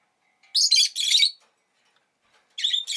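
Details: Rosy-faced lovebird chattering in loud, harsh, rapid strings of chirps, a long burst followed by a shorter one after a brief silence.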